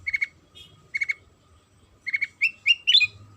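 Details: Sooty-headed bulbul lure song (pancingan), played to make other bulbuls sing: short bursts of three or four rapid bubbly chirps repeated about once a second, ending in brighter, rising whistled notes, over a faint steady hum.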